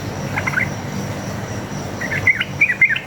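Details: Wild sooty-headed bulbul giving a long single-phrase fighting song meant to lure other bulbuls into replying: a brief cluster of liquid chirps, a pause of over a second, then a denser run of bright whistled notes, with faint insect hum beneath.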